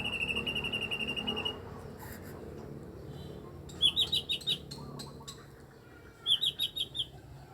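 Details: Eight-year-old mini blue-winged leafbird giving strange sounds: a steady high whistled tone for about a second and a half, then two bursts of five or six quick, sharp, high chips.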